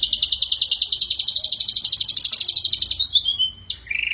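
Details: Singing ashy drongo, a lure recording full of mimicked fill. A fast chattering trill of about eight notes per second is followed by a short falling whistle and a lower clear whistled note.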